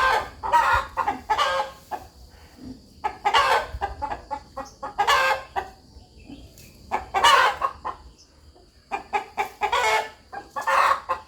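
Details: A rooster in a farmyard gives clear, rhythmic clucking, bursts of short harsh notes in groups every one to two seconds with brief pauses between, under a faint steady high hum.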